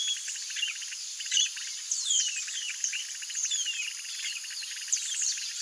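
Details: Yellow-rumped marshbirds calling while eating Brachiaria seeds: scattered high chirps and several downward-sliding whistles recurring every couple of seconds, set against a continuous fast ticking, insect-like pulse.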